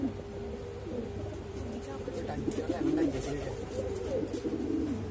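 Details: Exhibition Homer and Shiraji domestic pigeons give booming calls, low, throaty, rolling coos that swell and fade over a few seconds, with a steady low hum beneath.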